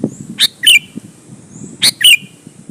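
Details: Sooty-headed bulbul phrases played to entice rival bulbuls to answer: two quick couplets, a high chirp followed by a bright slurred twist, over a faint low rumble.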